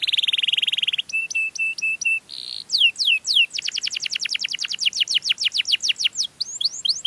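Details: Melodious canary song used to lure other canaries: a fast buzzy trill, then clear whistled notes repeated about twice a second, then a long run of rapid down-slurred sweeps, ending in rising slurs.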